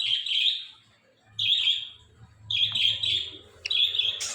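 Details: Indian ringneck parrot calling in bursts of shrill, buzzy squawks, about four calls spaced roughly a second apart, with a faint low hum behind.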